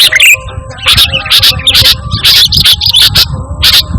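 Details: Sooty-headed bulbul, a lively singing bird without mimicked phrases, used as a lure and tutor for training caged birds; loud, dense, chattering bursts of high notes repeated throughout, over low rumbling noise and faint background tones.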